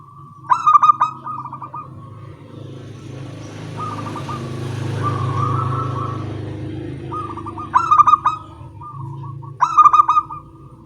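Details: Local zebra doves calling back and forth in the morning, their voices small: groups of quick, clipped coos alternate with sustained soft humming tones, over a steady low rumble and hiss.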